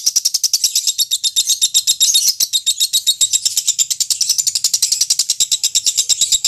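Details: Pet lovebird in long 'ngekek' song, the prolonged gacor style prized in singing contests and used as training material: a continuous high, rapid chattering trill of sharp repeated notes, about ten per second, sustained throughout with brief dips.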